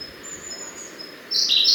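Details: Siberian blue robin singing: faint, thin, high notes, then an abrupt loud burst of rapid high notes at the end, over soft noise-reduced forest background.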